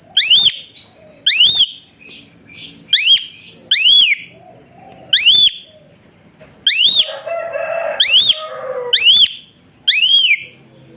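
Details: Asian pied starling giving its whistle song, suited for training birds: strong upward-swept whistles spaced a second or so apart, mixed with softer chatter and a brief scratchy noise mid-way.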